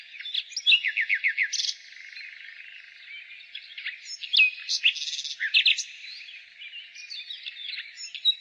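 A nightingale sings varied phrases: a quick run of five repeated descending notes, then rich, rattling and whistled figures, over a steady high hiss.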